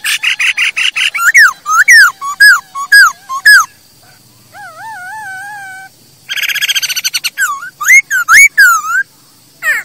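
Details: ['Masked laughingthrush singing, played to lure and teach birds: buzzy chatter and falling whistled slurs, a wavering drawn-out whistle, a harsh rattling burst, then more loud whistled phrases.']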